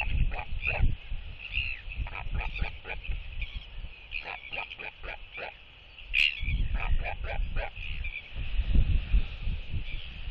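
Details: Mated northern royal albatrosses reunite at their nest with skycalls reaffirming the pair bond, the male having incubated the egg for about a week; rapid clattering pulses and brief braying notes, a pause, then more, with wind noise throughout.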